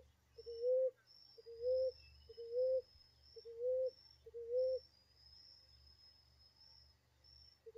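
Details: Ground dove delivering five soft, low, slightly upslurred coos about once a second, then falling silent while a constant high insect hiss continues.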